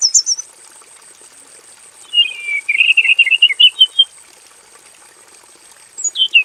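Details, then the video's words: Male robin in a simple aviary sings a long, fast, warbling run of bright chirped notes, opening and closing with high thin squeaks, over a steady high-pitched hiss. "KICAU BURUNG ROBIN JANTAN GACOR NGEROL PANJANG FULL ISIAN"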